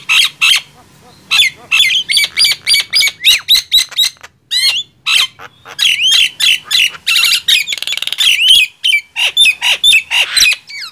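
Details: Loud contest of Nias hill myna and javan myna: long run of short sharp squawks and whistled slurs, a dry buzzy stretch midway, then chattering rising notes.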